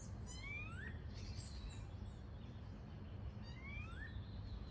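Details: Variable oriole, also called Xexéu de Bananeira, living free in its natural habitat: clear whistled notes sliding upward, given in paired phrases twice, over high thin chirps from other birds and a steady low rumble.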